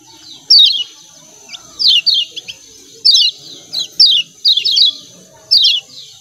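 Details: Lemon-bellied white-eye from Lombok giving its ciak ciak call: high, sharp descending chirps in quick pairs and triplets, about two dozen per minute, with a faint steady high whine behind and soft low background murmurs.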